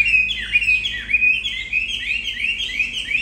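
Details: Caged Chinese Hwamei, an old wild bird kept tame, singing continuously right next to its keeper. Clear, high whistled phrases dip and rise, with rapid slurred notes repeated in a steady flowing stream.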